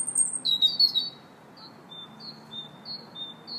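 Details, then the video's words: Robin song in a park, 2 March: a short, high, shimmering warbled phrase at the start, then a run of short repeated notes from another bird at an even pace of about three per second. "Robin Singing in the Park March 2nd"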